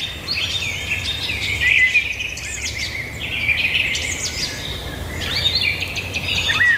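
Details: Continuous bird song outdoors: looping whistles, twittering runs and buzzy trills rise and fall in repeated phrases, with several voices overlapping over a soft low rumble.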